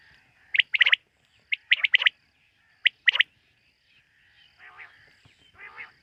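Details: Quail calling in the night: two quick bursts of sharp, bright stacked notes in tight groups, a lone clipped note, then softer rasping sounds trailing off.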